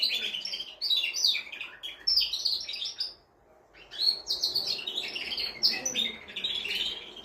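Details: Canary song used to excite a hen into mating: dense bursts of bright warbled trills and chirps, a short silent break around the middle, then the rapid rolling phrases resume.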